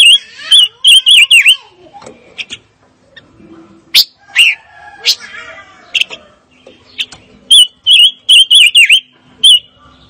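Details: Repeated bursts of quick, wavering whistles from a fire-tailed myzornis open and close the sequence, with scattered sharp chirps and quieter notes between them.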